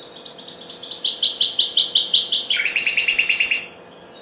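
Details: Goldfinch hybrid, four months old, in its first singing: a loud, rapid string of high twittered notes that shifts midway into a slightly lower, buzzier trill before stopping abruptly.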